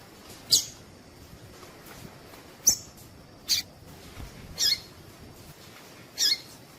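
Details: Female coleiro tui tui (double-collared seedeater) giving calls meant to stimulate males to sing: five thin, very high chips at intervals of one to two seconds against a quiet hiss.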